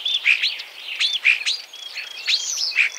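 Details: Common starling (Sturnus vulgaris) giving a short sequence of loud, repeated whistled notes, each a quick downward slur, roughly one per second, mixed with squeaky upslurs.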